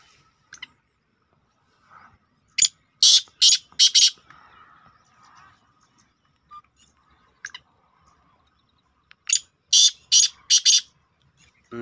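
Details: A partridge (teetar) gives a call used to lure other partridges: two bursts of four harsh, loud, scratchy notes, each about half a second apart, with a long quiet gap between the bursts.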